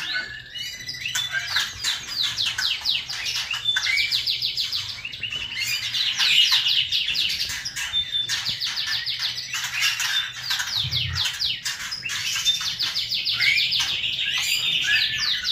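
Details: Loud, lively kretekan song of a white-rumped shama (Murai Batu): long runs of fast, rattling, repeated high notes, with chattering phrases and short whistles, delivered almost without pause.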